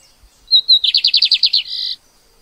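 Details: Song of a lined seedeater recorded in 2024: a pair of sharp high whistles leads into a rapid series of rolling buzzy notes, ending in a steady drawn-out buzzy tone; quiet surroundings.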